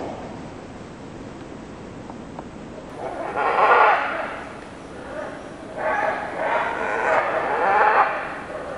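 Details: Wild scarlet macaws feeding on palm nuts and fighting over feeding spots near Carate, Osa Peninsula, Costa Rica; loud grating screeches rise in two drawn-out bouts, one around a second long, the other a rough run lasting nearly three seconds.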